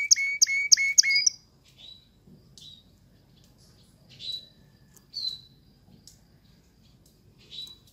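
A canary opens with a fast burst of about eight bright, ringing repeated notes, then gives scattered high chirps and brief twitters over a faint low hum.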